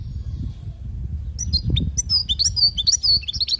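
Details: European goldfinch song from Palestine, used to train young birds: a dense run of rapid, liquid twittering and chirping notes that starts after a quiet second and continues, with low background rumble.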